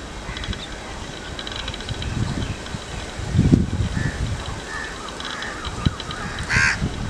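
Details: A Common moorhen (Gallinula chloropus) gives a few softer short clucks, then a loud, harsh, abrupt croak near the end, over a low rumble of wind.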